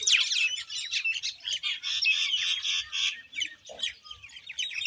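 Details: Common myna giving dense, harsh chattering calls, rapid squawky notes and short whistles run together in bursts, with a brief lower note near the end.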